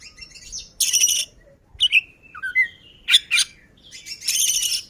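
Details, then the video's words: Oriental magpie-robin, known as kacer, in full 'ngobra' song: dense buzzy chattering bursts alternating with clear descending whistles and sharp slurred notes, varied and energetic throughout. "Burung kacer ngobra, gacor ngeplay"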